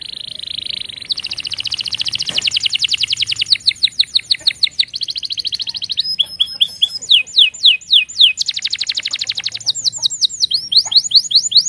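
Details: Canary, presented as giving warning calls: a long, fast, high-pitched song of rapid repeated chip notes and trills in changing tours, some buzzy, others clear and rhythmic, with faint background hum.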